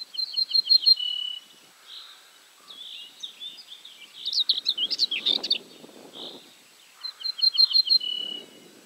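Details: Ortolan bunting singing at Julków, 3 June 2017: two phrases of rapid, repeated bright notes, each ending on a lower sustained tone. Between them other birds chatter and twitter loudly.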